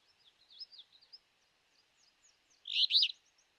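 An Alder Flycatcher gives one loud, burry, two-part rree-BEE-o near the end, after a run of faint, thin high notes.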